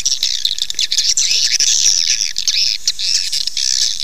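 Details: Lure call for attracting swiftlets to settle and nest: many high-pitched chittering chirps run together into a steady, shimmering twitter, with brief buzzy trills rising and falling throughout.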